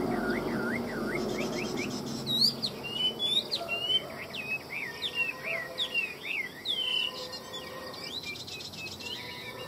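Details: Chinese hwamei in Vietnam singing a mix of swooping whistles and rapid twittering notes in uneven bursts, louder in the middle and fading toward the end.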